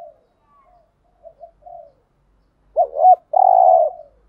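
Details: Lure recording of spotted doves, cock and hen, meant to provoke wild birds: soft scattered low murmurs first, then one loud cooing phrase of a short doubled note followed by a sustained rasping coo.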